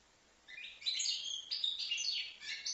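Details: Short phrase from a five-month-old young European goldfinch in Livno: quiet at first, then a rush of high, bright twittering and buzzy slurred notes for about two seconds.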